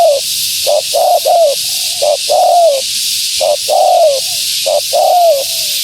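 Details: Female spotted dove calling to entice wild doves. Short notes and long descending coos come in quick succession, about five phrases in six seconds, each coo trailing off softly. Faint constant hiss.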